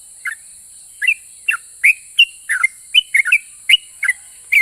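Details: Sooty-headed bulbul singing hard, its song said to provoke replies from other bulbuls. Loud, uneven whistled notes, some doubled, slur up and down in quick succession against a continuous high-pitched hiss.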